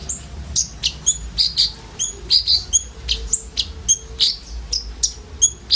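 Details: A group of common ioras gives a filled-in song, used as a lure for sunbirds, made of high, sweet chirps and short whistles at an uneven, lively pace, with a faint low hum in the background.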